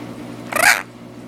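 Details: Pet Quaker parrot indoors, a talking bird that mimics words and dogs, gives one brief harsh harmonic burst of about a third of a second between an owner's spoken prompts, with a steady low hum in the room.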